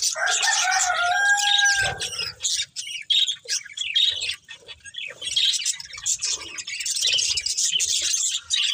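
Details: Colourful budgerigars of a breeding pair keep up busy, high, scratchy warbling chatter in fast bursts, while a longer, lower, drawn-out tonal call slides downward near the start.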